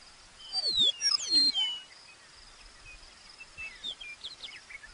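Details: Meadowlark in grassland at Wind Cave National Park, 2013; species uncertain, possibly western or eastern meadowlark. It gives a quick burst of clear, high, downslurred whistles lasting about a second, then softer scattered chirps over faint outdoor noise.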